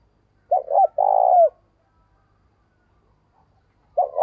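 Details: A decoy spotted dove's morning lure call: a pair of short coos leading into one long, flat, sustained coo that drops at the close, then silence before the next phrase begins.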